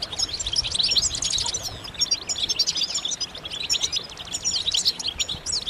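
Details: Group of European goldfinches in excited twittering, used to stimulate males to sing: sparkling high chirps and liquid trills tumbling over one another, briefly quieter midway.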